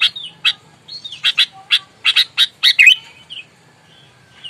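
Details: Sooty-headed bulbul, a wild-caught bird described as aggressive and ready to fight, giving loud bubbly notes: short vertical bursts repeated in quick clusters over about three seconds, then a few softer slurred whistles.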